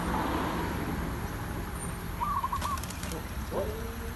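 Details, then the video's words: Zebra dove giving an 'ood' call during decoy luring: one short rolling trill of rapid, low cooing notes near the middle, a brief rising whistle near the end, over steady hum and background noise. "นกเขาชวา ออดดีๆ เสียงดีๆ"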